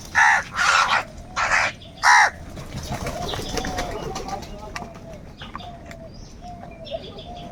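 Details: Crows fighting for food give four loud, harsh caws in quick succession at the start, followed by quieter mixed bird chirps and background murmur.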